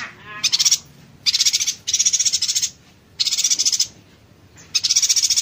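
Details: Rapid-fire yuhina song, the 'konslet tembakan rapat' style, used to tutor songbirds such as magpie-robins and green leafbirds: four high, tightly packed rattling bursts, each under a second, separated by short pauses.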